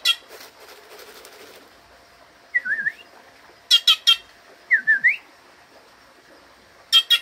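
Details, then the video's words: Wild bird, wary of people, approaching for food; twisting whistled phrases that dip and climb, each followed by a rapid run of three or four grating notes. "Canto de ave 2"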